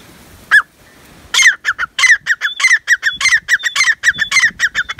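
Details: Black francolin (kala tetar) calling: one sharp note, a pause, then a loud run of harsh, grating notes repeated quickly, with thin whistled tones slipping in between the bursts.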